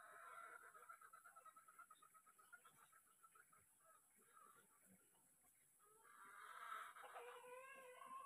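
A greater green leafbird sings a fast run of repeated chattering notes, about three a second, then breaks into a louder, richer warbled phrase.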